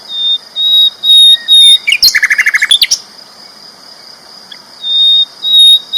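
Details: Loud, chatty flycatcher song used as tutoring material for contest birds: long clear whistled notes in a row, a quick burst of rapid repeated chips, then more drawn-out whistles, with a constant high background tone.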